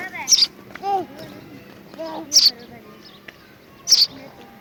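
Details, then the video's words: A rescued baby house sparrow gives three sharp, high chirps about two seconds apart, with quiet human voices murmuring underneath. "sparrow birds sounds / sparrow bird sound effect/ This is how sparrow baby"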